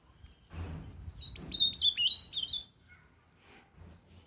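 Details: Ultramarine grosbeak singing: a quick, bright warbled phrase of rapid high notes that rise and fall for just over a second, preceded by low rumbling background noise and followed by a faint short note.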